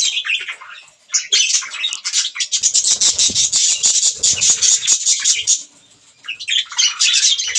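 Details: Pet budgerigars at green food, making continuous busy chatter of high squeaky chirps and warbles, with rustling and crackling sounds mixed in.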